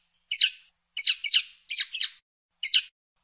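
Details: Common linnet, 2016 recording: paired and tripled dry, chattering twitter notes repeated at uneven intervals, each burst short and bright, with silence between.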